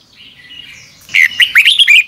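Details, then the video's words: A Red-whiskered bulbul's fast, fired-up morning song in the double-twisting style: a soft thin whistle swells into a lively burst of five or six loud, looping warbled notes. "Luyện chào mào hót sáng 2022 - Hót hay nhanh căng lửa | Ép bổi Giọng xoắn kép"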